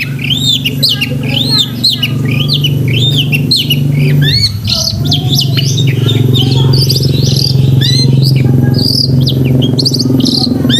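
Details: Long-tailed shrike in full chattering song filled with borrowed phrases, meant for training pet shrikes; rapid arched whistles and buzzy notes tumble almost continuously, with a short pause midway, over a constant low drone.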